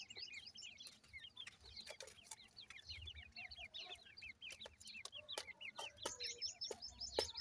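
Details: Francolin (teetar) chicks, said to be calling their mother: a dense chorus of high, thin peeps that hook downward and overlap continuously, with sharp clicks and knocks scattered throughout.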